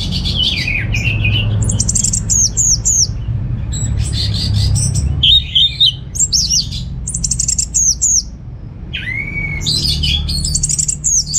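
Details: Orange-headed thrush, a kept bird at home in Singaraja, North Bali, singing a lively receh-style song: rapid high whistled notes and twittering phrases in quick bursts, with sharp slurred notes and a lower rising whistle, over a steady low hum.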